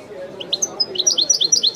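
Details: European goldfinch in authentic widani song, starting with a few scattered high chirps and thin whistles, then speeding into a rapid run of bright, tinkling notes, over faint low background noise.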